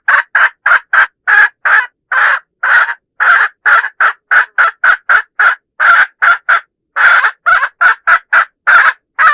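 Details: Hen calling, used as a lure to attract roosters. She gives a long, steady run of loud, harsh clucking notes at about three per second, with a few longer drawn-out notes mixed in.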